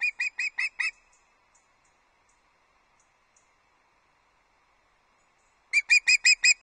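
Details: Loch Arkaig osprey on early breakfast delivery to the nest, 31 August 2022. Two bursts of five shrill whistled chirps each, separated by a long near-silent gap.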